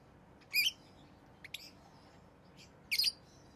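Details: Pet rosy-faced lovebird, orange-faced green or red-headed green colour form, uttering short, high, harsh chirps: a loud burst, a faint brief note, a soft one, then a final strong double chirp, with quiet between.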